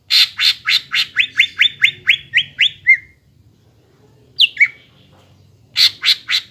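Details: Caged greater green leafbird in full song, used to prompt young birds to sing: a rapid series of harsh chips then falling whistled slurs repeated about four per second, a pause, two descending notes, then more harsh bursts.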